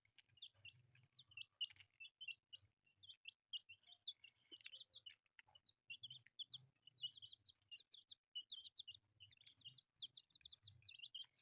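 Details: Newly hatched colourful chicks peep continuously, many short high notes overlapping in busy clusters. Faint low murmuring sounds underneath and occasional clatter.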